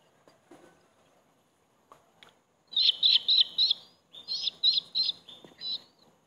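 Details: Bald eagle calls at a nest where the eldest eaglet brutally attacks the third, younger sibling: two fast bursts of high, sharp chirps, about four to five notes each, with a short pause between them and faint background noise.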